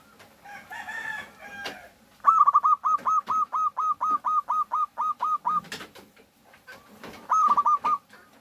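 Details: Local zebra dove singing as a lure to prompt other doves to call: a long run of about fifteen short, clipped, mid-pitched cooing notes in quick steady succession, then a pause and a brief repeated phrase, with faint background noise.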